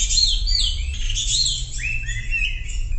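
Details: Lure song of a Sumatran leafbird meant to prompt quiet birds to sing, a quick run of high slurred whistles ending in rising sweeping notes, with faint low background hum.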